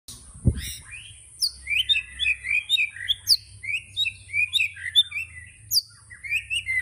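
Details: White-rumped shama (murai batu) singing in the tembakan style: a lively run of varied, short whistled and slurred notes, mostly high and bright, tumbling quickly one after another with brief gaps, after a single low thump at the start.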